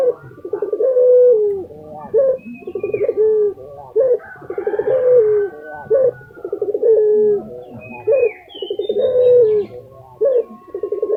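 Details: Lutino Barbary dove, a favourite caged bird in Indonesia, calling in full form: about five repeated coo phrases of rolling pulses and steady low hums, with thin high chirps of other birds scattered through.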